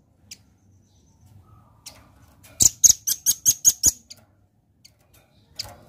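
Velvet-fronted nuthatch giving a quick burst of seven sharp, very high chits over about a second, with scattered faint clicks and a low hum.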